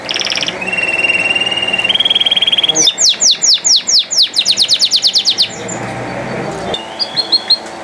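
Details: Canary in full song: steady tonal notes held at two pitches, then a loud run of rapid sweeping notes repeated about five times a second, ending in short chirps.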